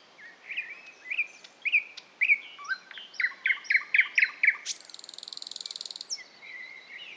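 Thrush nightingale singing: clear whistled notes, a run of about six loud repeated chirps, then a dry, fast mechanical rattle and a closing whistle. Quiet background.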